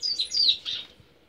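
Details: Captive pet Lined Seedeater gives a quick burst of high, sharp twittering notes lasting about one second, then falls quiet, over a faint low room hum.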